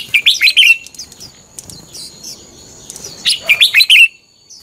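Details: Morning training recording of a red-whiskered bulbul in fighting song, meant as a lure to excite other birds into singing: two rapid, liquid phrases of rising and falling chirps, separated by about three seconds of quiet.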